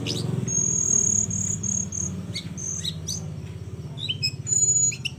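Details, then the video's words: Flowerpecker in a training recording for other cage birds, with a singing style described as very unique. Long high-pitched thin whistles alternate with quick sharp dropping chips, against a constant low droning background. "Kecil2 cabe rawit‼️layak dijadikan masteran dengan gaya sangat unik‼️"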